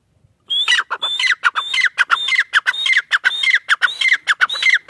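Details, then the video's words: A calling pair of francolins, irani teetar, delivers a fast, regular series of harsh phrases. Each begins with a whistled note and falls into rasping chatter, repeating nearly twice a second. "Teetar pair ki awaz | irani teetar ki awaz"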